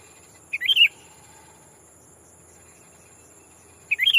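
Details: Sooty-headed bulbul calling to a rival as a lure for wild birds; two bubbly, slightly rising warbled phrases about three seconds apart, with a continuous high insect hum behind.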